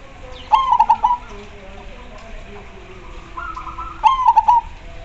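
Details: Zebra dove in vigorous song that sets others answering. Two bright phrases of rapid, stuttering coos, with a softer wavering coo phrase from another dove between them and faint low calls behind.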